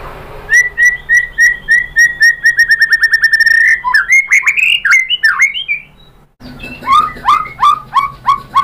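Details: Varied white-rumped shama song used to set other birds singing: a long steady run of repeated mid-pitched whistled notes, about three per second, gives way to loud slurred phrases, a short silence, then a set of downward whistles.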